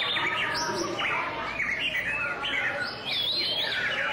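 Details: Song display of a White-rumped shama, with clear whistled phrases that sweep up and down, separated by short buzzy chirps and ending in bright rising whistles, delivered steadily without breaks against faint background noise.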